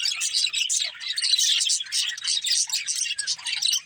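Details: Several budgerigars chatter nonstop in a dense mix of high, squeaky chirps and warbles. Short trills overlap with no pauses.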